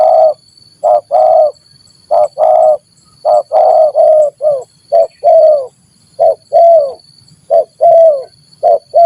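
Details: Spotted dove in stuttering 'gagap' style meeting another stuttering dove, used as a lure: loud, hoarse coos in uneven bursts, some doubled or tripled, others falling at the end, about forty-seven a minute.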